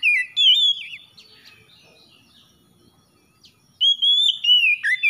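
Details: Oriental magpie-robin giving a loud warbled phrase, a quiet pause with faint chatter, then another strong run of clear, sliding whistled notes.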